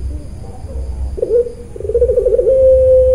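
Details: Puter pelung dove from a bird farm in Kroya, Cilacap, Central Java: after a second of low rumbling background, a drawn-out, wavering mid-pitched coo begins, breaks briefly, then swells into a long steady tone held to the end.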